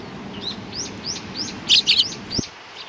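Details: Sparrows recorded on 15 October 2018: a quick run of short, bright, upward-sweeping chirps, followed by a louder burst of harsh, clustered chirping and a single sharp click near the end, over soft background hum.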